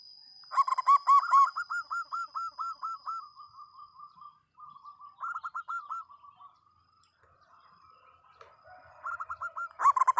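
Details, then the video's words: Local zebra dove singing loudly and actively: rapid runs of short, mellow, bubbling coo notes repeated in quick series with brief pauses, some phrases softer and trailing, over a steady high-pitched whine. "perkutut lokal gacor suara lantang"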